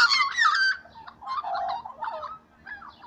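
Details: Young magpies in the morning give a harsh, gurgling warble of mixed chattering notes. A loud burst opens, followed by quieter, uneven phrases about twice a second.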